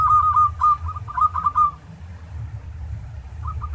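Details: Tarik-style song from a local zebra dove, used to coax other doves into singing: a loud string of clipped, bubbling coo notes that stops abruptly, a quiet pause, then a few faint notes, all over a deep hum.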